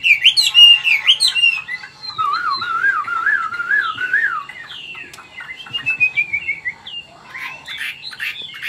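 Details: Chinese hwamei, an older wild-caught cage bird from Vietnam with forest voice, sings loud warbles, then a lower wavering trilled whistle, followed by softer varied phrases and scattered sharp notes.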